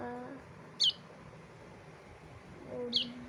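A young bulbul gives two brief, high, downward-slurred chirps about two seconds apart, with a person's low voice murmuring in between.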